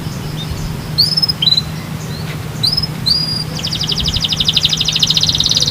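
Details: Canary song meant to get other canaries singing: scattered short upslurred chirps at first, then a dense, even high trill that grows louder toward the end.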